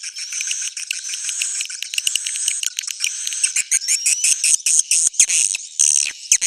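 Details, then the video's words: Roosting call of swiftlets: rough buzzing chatter that breaks into choppy clicking fragments in the second half, with occasional thin whistles. "Suara inap original"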